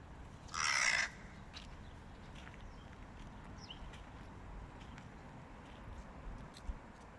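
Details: Hooded crow, one of a flock battling a stray cat, gives a single harsh, loud caw lasting about half a second; the rest is quiet outdoor background with faint scattered clicks and rustles.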